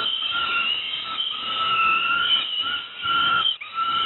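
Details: During breakfast at Moszna, Pruszków, Poland, young peregrine falcons keep up a long, strained, wheezy wail that wavers slightly in pitch and is briefly broken near the end.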